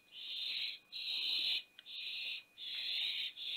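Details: Barn owl owlets at a nest box in Théding, recorded 20 September 2021 when the youngest owlet fell from the box; long harsh hissing screeches, each about half a second to a second, repeated with short gaps, over a steady faint electronic tone.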